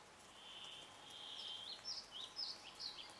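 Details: Pine grosbeak at a hotel in Finnish Lapland, June 2012: soft, high whistled notes, one drawn-out tone, then several short rising whistles about twice a second, over faint hiss.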